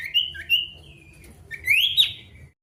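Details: Pied bush chat male in full song, challenging an opponent: two brief sweet whistled notes, a drawn-out thin tone, then a rising buzzy scratchy flourish that fades away.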